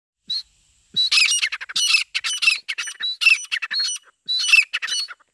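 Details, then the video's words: Female grey francolin calling non-stop in jungle, used as a hunting lure: loud, harsh, squawking notes delivered in quick bursts with short gaps, the series repeating throughout, against a quiet background. "female madi teetar ki awaz"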